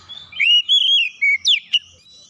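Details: Caged oriental magpie-robin, provoked into an aggressive challenge, sings a short run of loud whistled notes sliding between high and mid pitch, ending in a sharp rising-falling phrase.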